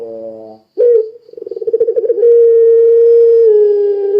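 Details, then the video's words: Vigorously singing pelung Barbary dove meant to lure others into song: a buzzy low note, a short burst, a rapidly pulsing roll that swells in volume, then a very long, even, pure low hoot that sags slightly at the end. "Suara Burung Puter Pelung Gacor Sangat Ampuh Menjadikan Puter Lain Ikut Bunyi"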